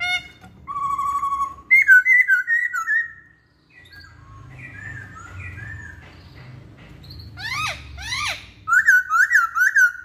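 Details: Masked laughingthrush song meant to coax other laughingthrushes and songbirds into singing: clear level whistles, a wavering phrase, a quieter lull with low murmur, then sharp downward sweeps and rapid repeated whistled notes.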